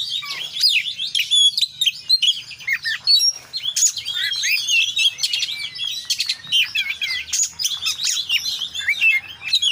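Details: Oriental magpie-robin (Copsychus saularis), song.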